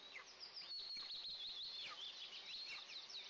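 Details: High, thin piping from two Eastern imperial eagle eaglets being fed their first breakfast on June 29, 2024, captured by a nest camera; a long drawn whistle runs alongside quick descending chirps, with soft clicks underneath.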